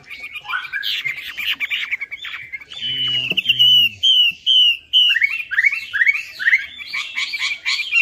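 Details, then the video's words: Chinese hwamei song as a lure for a non-singing hwamei: jumbled warbling, then a string of loud, clear slurred whistles repeated steadily, ending in fast rising notes; a brief low hum midway. "PANCINGAN WAMBI MACET"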